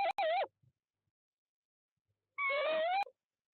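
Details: Tawny owl pair at nest box 1 in De Mortel, 18 February 2021, breeding season, as the male brings prey to the female. Two harsh, wavering, harmonic calls, about half a second each, two seconds apart, otherwise quiet.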